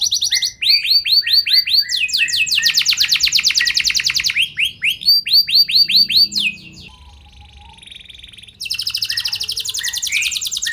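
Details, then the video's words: Canary lure song intended to make other canaries respond: varied phrases of swept chirps and rapid trills, a quiet gap of about two seconds, then a fast rattling trill resumes. "Burung Kenari Kondisi Apa Saja Bisa langsung Respon Dengan Pancingan Kenari Gacor Satu Ini"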